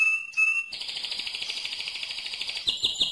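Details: Two clean whistled notes from a mosaic canary lead straight into a loud, fast, buzzing roll held for over two seconds, ending in a few sharp accented notes.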